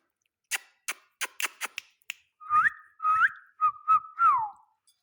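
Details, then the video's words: Talking Indian ringneck parakeet indoors: a quick series of dry clicks, then four clear whistled notes, each sliding up and dropping back, the last one falling away at the end. "talking sweet parrot amazing ringneck talking sweet parrot amazing ringneck"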